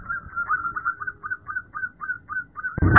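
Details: Female zebra dove calling its mate at night: a regular run of soft, short coos repeated roughly three times a second, ending in a sudden loud noise burst.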